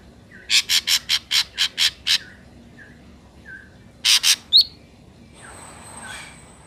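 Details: Lure recording of an ashy drongo for bird trapping: a rapid string of eight harsh rasping bursts, a few soft downslurred whistles, then three more harsh notes and a sharp high note.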